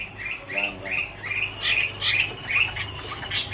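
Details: Chinese hwamei song in autumn, heard muffled: repeated whistled notes roughly every half second, fairly steady in pitch, with faint lower sounds in the background.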